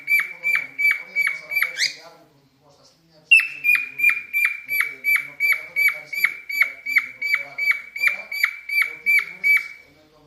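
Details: Cockatiel in mating mood whistling a steady run of clipped, downward-flicking notes about three per second, breaking off with a rising squeal, pausing briefly, then resuming the same rapid series.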